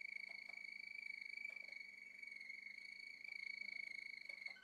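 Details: Singing male Malinois Waterslager canary holding a long, continuous rolling trill on a steady high pitch for over four seconds. Faint soft clicks sound underneath, over a low background hum.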